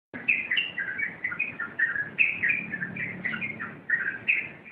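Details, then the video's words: Yellow-vented bulbul singing in the rompelan style: a dense, rapid run of bright warbled and chirping notes, rising and falling in fast bursts without pause, with a faint low hum underneath. "Suara Rompelan Burung Trucuk"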